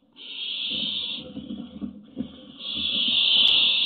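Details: Barn owl chicks, hungry, recorded 1 July 2017, give long, harsh, hissing snores: one breath-like hiss fading, a brief pause, then a louder sustained one, over soft low thumps.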